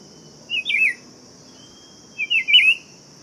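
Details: Buff-throated saltator (tempera-viola) singing two short, warbled whistled phrases that waver up and down, separated by a pause of over a second, over a steady high insect-like hiss.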